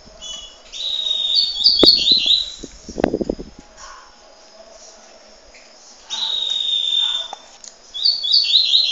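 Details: Young double-collared seedeater recorded in Peruíbe, Brazil: high, drawn-out buzzy notes and quick descending chirp runs, separated by a pause, with low thumps and rustling handling noise in the middle.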